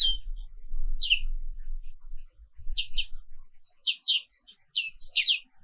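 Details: Morning song of a black-capped white-eye from Indonesia: sparse high downward-sweeping chirps, mostly paired, over a low rumbling hum during the first half.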